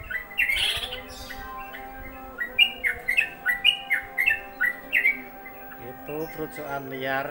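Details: A wild Yellow-vented Bulbul, recorded during the afternoon call to prayer, gives a run of bubbly, chirpy notes, about two per second, each a quick rise and drop, with a low steady hum underneath.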